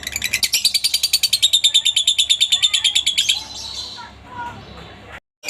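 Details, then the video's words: Lovebird ngekek used to train other lovebirds: about three seconds of fast, high, rattling trill pulses, then the chatter stops and a few soft chirps and background noise remain before a sharp click. "masteran burung Lovebird ngetik,ngekek cocok buat lb lain biar cepat gacor ,ngekek panjang"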